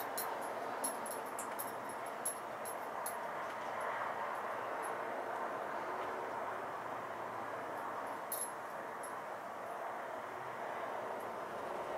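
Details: Only a steady, rushing broadband noise like a passing vehicle, with a few faint high clicks and no clear animal voice.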